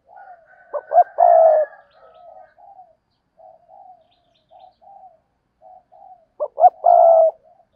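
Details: Decoy spotted dove used to draw in wild doves. It gives a loud phrase of two short notes and a drawn-out croo, then quiet wavering coos, then the loud phrase again. A fainter higher note sits above the first phrase.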